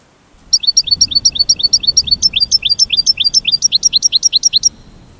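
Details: American goldfinch mating call: a steady, fast string of about two dozen high chirps, each a bright upper note joined to a short rising sweep, delivered evenly for about four seconds.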